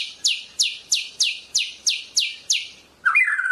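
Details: A Medan White-rumped shama gives a rapid, even series of eight sharp, high, downward-slurred notes, about one per third of a second, then breaks into a lower, warbled whistle.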